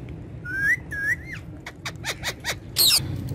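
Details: Green talking parrots kept as pets: a pair of rising whistled notes, then a quick series of short, harsh, ringing vocal bursts ending in a louder squawk, with low background hum.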